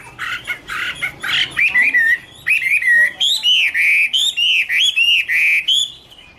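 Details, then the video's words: Garrulax canorus, Chinese hwamei, opening with scratchy chatter then settling into a steady series of loud, clear whistled notes, each swooping up then down, about two per second. "Birds Garrulax canorus: Singer yellow mouth - wonderful birdsong"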